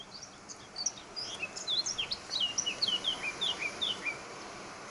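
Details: Eurasian blackcap of the Canary Islands subspecies heineken singing at Sardina de Gáldar, Gran Canaria, on 14 March 2019; a fast, varied warble of high sweet chirping notes, steady background hiss.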